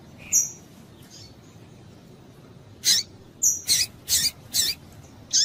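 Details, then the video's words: Calling female Double-collared Seedeater, played to excite males into song: a high piercing chip, a pause, then a quick run of four or five sharp, high, slightly rasping notes at uneven spacing. "Piado de Fêmea de Coleiro Para Esquentar Coleiro"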